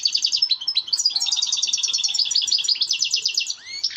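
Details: A European goldfinch delivers its mating song, used to stimulate birds to breed: lively, tinkling twitters in quick succession, a long fast run of repeated bright notes, and a rising slurred whistle near the close.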